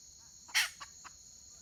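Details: Wild red junglefowl hen recorded on 31 May 2023: one loud harsh squawk followed by two softer short clucks, over a steady high-pitched electronic whine.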